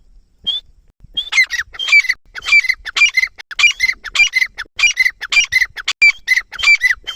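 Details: Partridge calling in a rapid, steady series of harsh, ringing two-part notes, about 100 per minute, after a single opening note and a brief pause; no other clear sounds.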